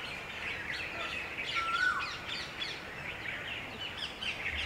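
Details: A flock of red-vented bulbuls bathing and drinking at a water puddle on a hot summer day; quick chirps and twitters overlap with one clear level whistle, set against steady background noise.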